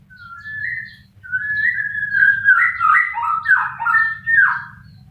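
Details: White-rumped shama singing: a long clear whistle, then a rich run of varied whistled phrases that rise and fall, some slurred downward, with a low hum beneath.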